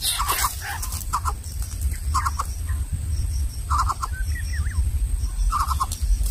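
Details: Greater coucal nestlings of different sizes in the nest, where the smallest cannot get food, give short, harsh, stuttering bursts in clusters every second or two, with one brief wavering note, over a steady low rumble.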